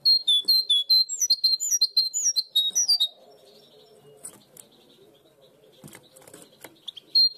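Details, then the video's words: Goldfinch hybrid mule singing blue tit style "primaveras" song, as favoured in Barcelona; about three seconds of rapid, repeated high ringing notes, then quiet rustling and clicks before a short burst resumes. "mixto de jilguero primaveras (herrerillo)"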